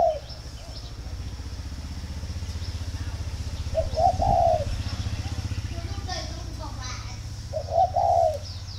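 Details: Spotted dove kept on a Ba Vì dove farm in northern Vietnam, cooing when ready for pairing: a few short soft coo phrases over a constant low engine-like rumble.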